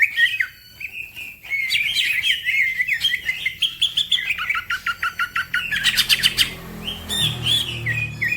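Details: Green leafbird singing fast and energetically, prompting other birds to sing too: varied whistled phrases, tight trills and rapid chattering notes in quick bursts, with a dense run of sharp repeated clicks near the end.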